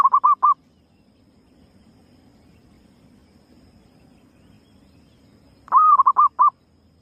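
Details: Female zebra dove lure call: the tail of a phrase of short coos opens, then a long quiet gap with soft low hum, then a fresh phrase of a sustained coo followed by quick, chopped notes.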